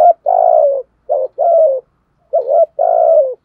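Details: Loud, close spotted dove giving thúc gù coos in the thổ style, meant to provoke young birds: three phrases, each a short note then a long, slightly falling coo, separated by brief silences.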